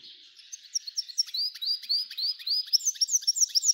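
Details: Rising, slurred whistles repeated rapidly make up this F1 hybrid goldfinch song, each note sweeping upward in a fast chattering sequence.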